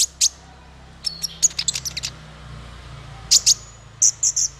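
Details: A male konin (kolibri ninja) gives thin, very high chirps and sharp twittering notes in quick bursts with short pauses between phrases, a call used to train other birds; a faint low hum sits underneath.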